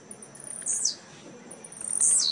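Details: Contest Blue-black grassquits at a singing tournament in Jacarepaguá, Rio de Janeiro, on 18-11-2017 give two short, very high buzzy phrases that sweep downward, about a second apart, over a faint steady high hiss.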